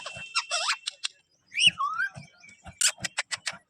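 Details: Ringneck parrot talking in a greeting: bright whistles, a rising then falling whistled sweep and a string of sharp high clicks and chips, with soft low thumps underneath.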